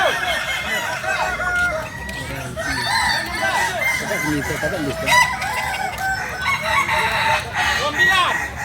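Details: Many Kukuak Balenggek chickens, native to Solok, West Sumatra, crow in long, wavering, multi-syllable phrases that layer over each other, with frequent clucking and brief sharp calls mixed in.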